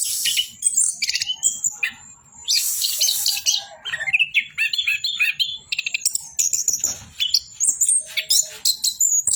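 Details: An Orange-headed thrush sings nonstop, harsh rasping bursts alternating with high twitters and short falling whistles in a dense, restless sequence.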